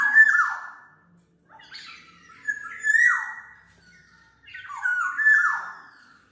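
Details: Black-naped oriole song used as a lure and training tutor, in three phrases of rich, fluting whistles that slide down with harsh nasal overtones, separated by brief pauses.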